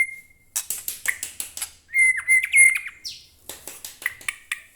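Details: White-rumped shama kept as a cage bird: a thin held whistle, then a run of sharp repeated chips, a bright warbling phrase and more crisp ticking notes.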